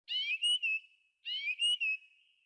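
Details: Thrush singing in a forest: one clear, high whistled phrase given twice, each opening with a slurred rising note and trailing off in a long steady tone.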